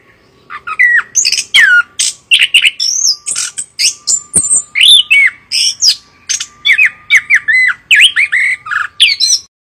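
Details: Chestnut-capped thrush singing a loud, rapid, continuous run of varied short whistled and slurred phrases, each note sharply rising or falling, delivered in quick succession, with a faint steady hum beneath.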